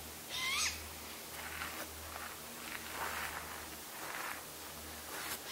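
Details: Juvenile Great Gray Owl and its calling sibling appealing to the parents: one loud, rasping, slightly rising screech at the start, then several faint, breathy screeches spaced roughly a second apart against steady low hum.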